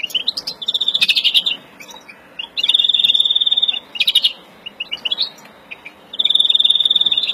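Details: Verdune mutation European greenfinch in breeding condition, April 2016, singing fast rattling trills that last one to two seconds, separated by quieter gaps with scattered chirps and twitters.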